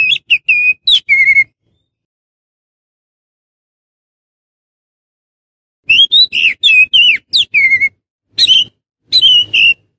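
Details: Oriental magpie-robin sound for luring wild birds of its kind: a quick burst of sweet whistles and chips, about four seconds of silence, then a longer run of varied slurred whistled notes and a low background murmur.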